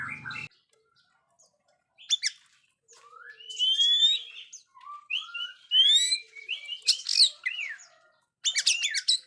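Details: Oriental magpie-robin in full, lively song, played to train young birds that are still silent: clear whistled slurs and rising notes mixed with sharp high chips, delivered in bursts separated by short pauses.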